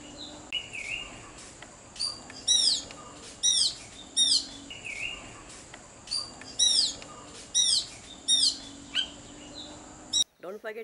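A robin sings short, high, tinkling phrases of thin whistles and quick descending trills, separated by brief pauses, over a faint low hum.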